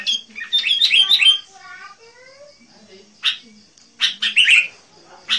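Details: Sooty-headed bulbul song for luring wild birds: a quick chattering phrase, softer thin rising whistles in the background, then sharp separate bursts of bright notes.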